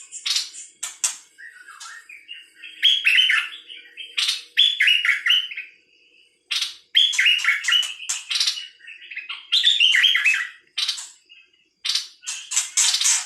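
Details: Nok dok taeng, a bird named in Thai, sings in bursts of quick twittering, slurred notes mixed with sharp clicks and hissing, scratchy rasps. Phrases last one to two seconds, with brief silences between.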